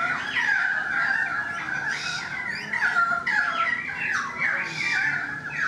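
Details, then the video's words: Currawong song heard at a balcony: a steady run of looping, gliding whistles that rise and fall, with phrases overlapping continuously over several seconds. "The Currawong Song"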